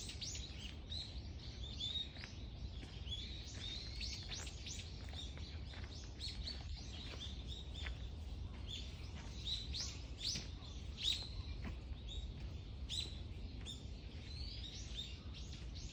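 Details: Chorus of park birds heard on a walk through a green park: dense overlapping high chirps and twitters pour out continuously for sixteen seconds, with a steady low background hum beneath.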